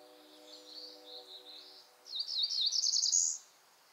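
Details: A Cerulean Warbler song: a few thin, high buzzy notes speed up into a louder, rising buzzy trill at the end. A faint low hum runs underneath.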